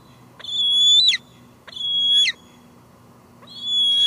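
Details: Bald eagle, a female calling from her nest with leftover food nearby, Two Harbors, July 2022 evening, live cam. She gives long, shrill, steady whistles, one about every one and a half seconds, over a constant electrical hum.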